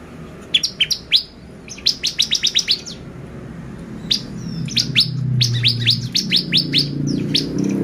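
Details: Bar-winged prinia lure song to make birds excited: snappy series of high, downslurred notes, first three, then seven, then longer runs, as a low engine-like rumble grows in the background.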